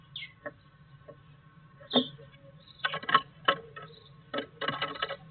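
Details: Great tits on 6 March 2023, apparently still hesitating, give short, sharp downslurred notes and brief buzzy chatters in scattered bursts, mixed with light tapping and knocking sounds.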